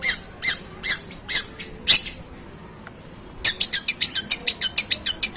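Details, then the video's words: A long-tailed shrike mimicking sparrows with a harsh, drawn-out song. Five loud, rasping chirps are followed by a short pause, then a fast, even run of scratchy notes. "Suara pentet tembakan gerejaan panjang dan kasar"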